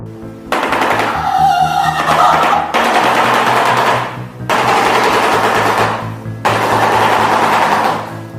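Shoebill clattering its bill in four loud, rapid, machine-gun-like rattling bursts of about two seconds each, over steady background music.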